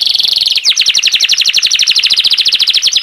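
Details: Canary trilling fast: a brief buzzy tone, then a quick drop into a dense, rapid series of repeated bright chirped notes.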